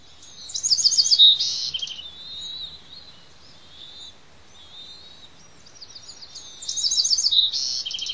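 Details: Noisy begging from two bald eaglets fed by both parents at a Pelican Harbor nest on Santa Cruz Island; loud bursts of high, rapid piping chitters and squeals at the start and end, softer thin whines between.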